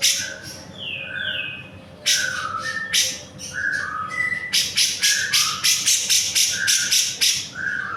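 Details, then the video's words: Grey-cheeked bulbul singing actively in a tutor recording for songbirds: short clear whistled notes, some falling, mixed with rapid harsh rasping bursts repeated about four times per second in the second half. "CUCAK JENGGOT GACOR. . .!! Masteran Burung Kicau"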